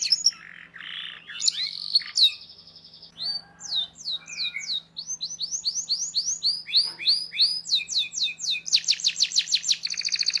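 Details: Canary tutor song for young birds, a long chattering song with sharp rolls: varied high whistles and slurred notes build into rapid repeated swooping syllables, then into fast, loud, buzzy trills, with a constant low electrical hum underneath.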